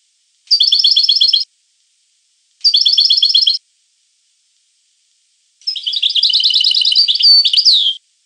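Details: Two brief, even, rapid trills from a European goldfinch, separated by silence, then a longer tinkling phrase of mixed chirps and trills ending in a falling slur.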